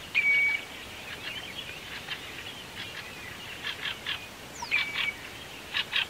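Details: Common redshank met on the Yazva River in Perm Krai, Russia: clear whistled notes, with a long level whistle at the start and again near five seconds, amid short repeated calls and steady background noise.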